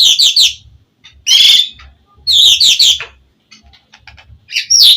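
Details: White-rumped shama giving high, thin twittered phrases in three loud bursts with quiet gaps, a low rumbling hum beneath; gacor song played to make other shamas respond.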